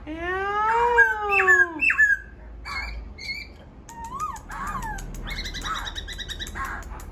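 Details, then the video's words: A laughingthrush sings loud, rich whistled phrases, with slurred rising and falling notes and varied chirps, about two per second, over faint background hiss. "khướu bổi hót"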